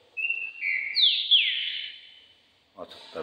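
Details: A competition Green-winged saltator (Saltator similis) being readied for the contest season sings loud, clear whistled phrases, a level note then sliding, descending slurs, followed by a man's voice.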